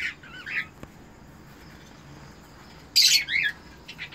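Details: Cockatiels of a captive breeder pair during mating give a brief wavering whistled warble, a pause, then a loud harsh squawk followed by shorter squawks.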